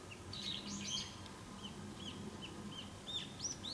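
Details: Brown-eared bulbul calling loudly near everyday surroundings: bright, arched chirping notes in quick, uneven bursts, denser and louder in the first second, then spaced single notes, over a steady low background hum.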